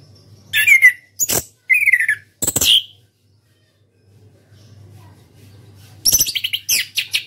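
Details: Caged orange-headed thrush, an Indonesian national contest champion, singing clipped whistled phrases mixed with harsh raspy bursts, then a rapid chattering series of high notes; faint low hum between phrases.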